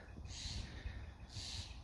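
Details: Steller's jays call in the background in the Bay Area of California in March, after the first real rain in months, giving two harsh, raspy bursts about a second apart over wind and handling noise.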